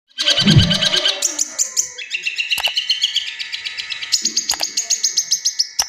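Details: Caged long-tailed shrike singing a song that imitates the tengkek buto, used to prompt other birds to sing. Harsh, dense, rapid notes repeat about four times per second, with brief low thumps near the start.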